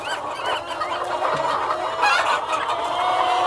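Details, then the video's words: Hens and a cockerel calling together in a farmyard: a continuous mix of clucks and higher wavering squawks, louder in the second half, with a thick steady background of many birds. "World of Sound: (Cockerel and Hens)"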